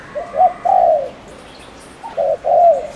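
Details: Spotted dove decoy in Ninh Thuận, Vietnam, cooing quickly to stir up males: two back-to-back low phrases, each with short lead-in hoots ending in a long, slightly descending coo.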